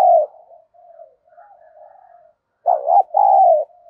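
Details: Spotted dove used as a decoy to provoke rivals: faint low murmuring coos for about two seconds, then one loud two-part coo, a dipping note followed by a longer even note.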